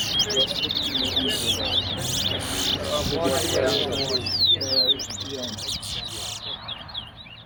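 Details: Chestnut-bellied seed finches at a whistling competition at a bird ground in Tuschen, Guyana, pour out rapid, high sweet whistles and twitters, phrases tumbling over each other, over crowd chatter.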